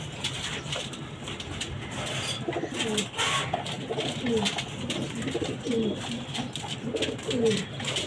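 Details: Pigeons kept on a house rooftop, shown feeding, give soft, low, rolling coos, repeated over a steady background hiss; pigeon.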